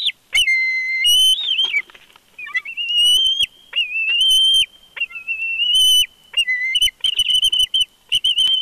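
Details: At a Big Bear nest watched by a live camera, a bald eagle gives long, loud, high whistles, mostly level with slight wobbles and dips, in repeated strings several seconds long, punctuated by sharp clicks.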